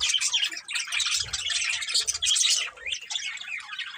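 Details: A pair of budgerigars chirping steadily, a continuous run of squeaky, scratchy warbles and chatter with brief low knocks in the middle.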